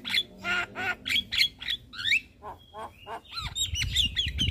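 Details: Morning Javan myna song for training caged birds: nasal honking notes and whistled slurs, a thin high whistle, then twittering over a low rumbling background.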